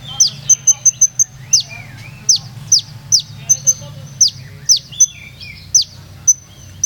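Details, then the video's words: Purworejo olive-backed sunbird in rhythmic, melodious song: quick high ticks and strong falling whistles alternating with lower, twisting warbled phrases, repeated in an uneven rolling pattern. "SUARA BURUNG: Kolibri Ninja Purworejo Berirama Syahdu Ngeroll Nembak"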